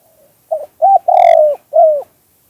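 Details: Spotted dove cooing in the 2-kuk-hoi song style, used in lure trapping: a short stuttered note, then two low cooing notes and a long drawn hoarse coo, with a final downward-bending coo, all fairly low and mellow.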